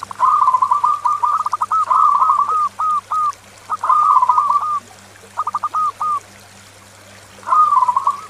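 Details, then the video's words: Local zebra dove's loud lure song, meant to excite other doves and train silent birds; phrases of rapid staccato notes separated by pauses, ending in a rolling coo, over a steady low hum. "SUARA PERKUTUT LOKAL ( PEMIKAT AMPUH PERKUTUT MACET BUNYI )"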